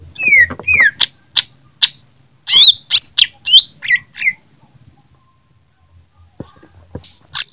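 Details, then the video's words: Greater green leafbird from Jember fighting, opening with downslurred whistles, then a fast string of harsh, varied chirps and squeaky notes, a quiet gap, and a few clicks and a final high note. "Cucak ijo jember tarung dengan ciri khas nya"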